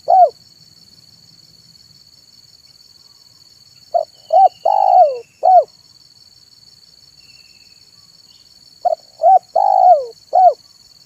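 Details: Zebra dove lure bird in afternoon song: three phrases spaced about four to five seconds apart, each of quick cooing notes and a falling rolled coo ending on a single note, over a steady high hum and faint distant chirps.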